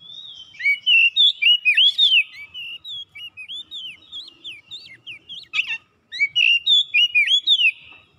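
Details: Oriental magpie-robin, known locally as kacer, singing in full voice as if seeking an opponent; varied whistled notes rising and falling in quick succession, with a brief harsh burst near the middle.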